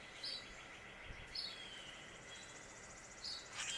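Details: A Common Grackle at a bird feeder at Indian Acres on Chesapeake Bay, Maryland, in April 2023, gives three brief, sharp chip notes spaced one to two seconds apart, over a steady high hiss and a faint hum.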